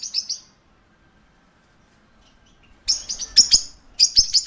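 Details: High, scratchy parakeet chirps at a pet shop: a short double note, a long silence, then a dense flurry of sharp chirps and a closing rapid four-note run.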